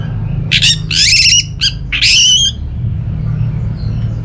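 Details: Orange-headed thrush singing, played to lure caged birds at home into song: four dense bursts of harsh chattering and clear high whistles within two seconds, then quiet with a low background hum.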